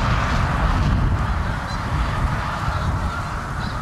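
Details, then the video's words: Canada geese in fall at South Utica Reservoir, New York; a mass of overlapping honks, loudest at first and easing slightly, with strong low-frequency rumble throughout. "Canada Geese in the Fall in Utica NY"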